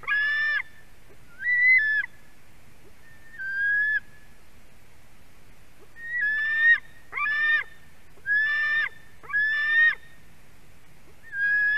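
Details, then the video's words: Hungry white-tailed eagle nestling in Durbe, Latvia, screams during a fish delivery by a parent on the afternoon of 31 August 2020; irregular series of about ten rasping, harmonic cries, some short and rising, others longer and level, in bursts. "Dangerous fish delivery by Milda for her screaming devil"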